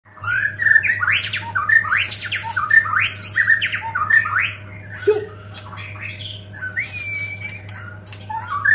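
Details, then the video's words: White-rumped shama of the Medan type, prepared for the 2019 Presiden Cup contest, delivers a fast song with mimicked fill-ins of cililin, canary and lovebird: rapid rising sweeps, sharp whistles and a long pure note, over a low electrical hum. "Murai Batu Medan speed cepat"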